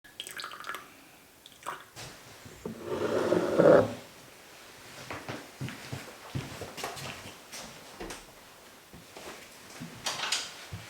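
Indoor room noise with scattered drips, taps and a louder splashing rush of water, with no animal voice.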